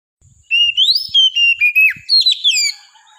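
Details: Oriental magpie-robin in loud, varied song: a run of clear whistled notes sliding up and down, some short rising and falling phrases, lasting about two seconds with brief gaps, with faint low knocks beforehand.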